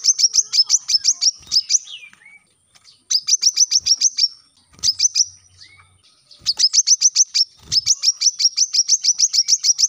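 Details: Brown-throated sunbird song meant for teaching captive birds: repeated trains of high, sharp chipping notes, fast and steady, broken by short quiet gaps with faint softer notes.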